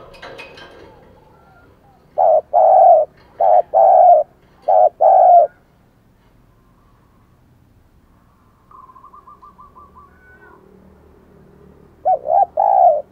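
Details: Spotted dove used as a decoy, cooing to attract wild doves: three low two-part phrases, a quiet gap with a faint rapid ticking series, then another coo phrase near the end.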